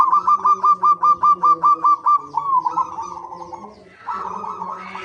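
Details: Zebra dove lure song: a brisk series of about a dozen clipped, evenly spaced cooing notes that fades into a drawn-out phrase, with a low background hum.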